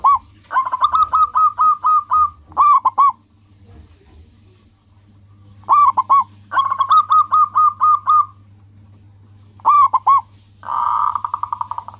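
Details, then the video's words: Local zebra dove in energetic song for luring and provoking replies: long runs of evenly spaced staccato coos, repeated phrases with pauses, ending in a fast buzzy trill of rolling notes. "Perkutut lokal gacor menarik perhatian lawan langsung pada nyaut semuanya"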